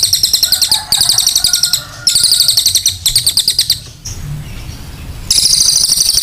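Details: Cililin in full song, used as a clear-voiced tutoring recording: dense, sharp, high buzzy trills pulsing about four times per second, broken by short pauses near one, two and four seconds before resuming strongly.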